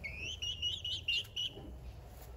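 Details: Two-month-old Lemon Millefleur Sablepoot bantam chicks, almost fully feathered, in a garden. A run of about six clear, high whistled peeps comes in quick succession, each slightly rising, over soft background hum.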